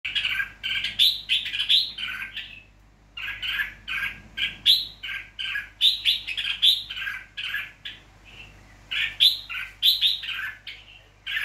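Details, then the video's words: Wild-caught red-whiskered bulbul from Nghệ An, Vietnam, tamed to people, recorded on 29 April 2024; a continuous stream of lively chirping phrases, short bubbly notes repeated in quick clusters with brief gaps, faint low hum beneath. "chào mào bổi nghệ an thuần dạng người"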